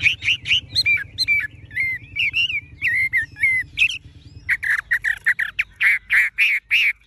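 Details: Tame Chinese hwamei kept in a cage, with yellow legs, bill and feathers, singing like a machine: loud slurred whistles at first, then a steady string of rapid, rich, repeated notes about every third of a second.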